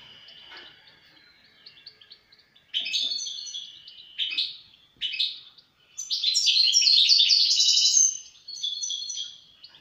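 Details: European goldfinch in full song: scattered high twitters at first, then loud bursts of liquid chatter separated by brief pauses, climaxing in a long, dense run of bright trills and buzzy notes.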